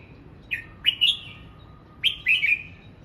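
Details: Red-whiskered bulbul at morning voice practice, two quick phrases of bright warbled whistles, each opening with a sharp upward note and trailing off in a falling slur, about a second and a half apart.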